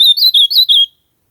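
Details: Ultramarine grosbeak song fragment: four or five bright warbled whistles delivered quickly, each slightly bending in pitch, then stopping abruptly; quiet background.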